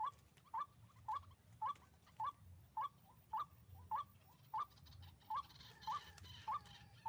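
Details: White-breasted waterhen at a hanging-snare trapping site repeating a brief, rising, knocking note with metronome-like regularity, around twelve notes spaced just over half a second apart, against quiet background.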